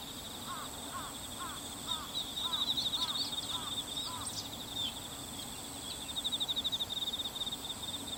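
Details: Bull-headed shrike, 22 September 2015, ordinary calls rather than the autumn high-pitched display: eight rapid, evenly spaced arched notes in the first half, then silence from the bird against a shrill, pulsing insect trill.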